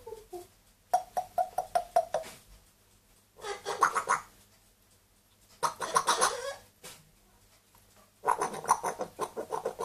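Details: A two-year-old grey parrot and a one-year-old Amazon parrot kept as pets indoors. Harsh, broadband calls come in rapid pulsed bursts: a run of about eight clipped notes, then three long grating scream bouts separated by short silences.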